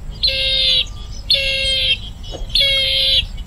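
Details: Three drawn-out, wheezy, nasal calls from a bronze-winged jacana, each lasting over half a second and repeated about every second and a quarter, above a steady low hum.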